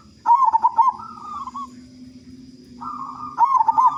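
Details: Big-voiced local zebra dove in full song, used to prompt other doves: a rippling, trilled coo followed by a level wavering note, then the trilled phrase again, over a steady low hum.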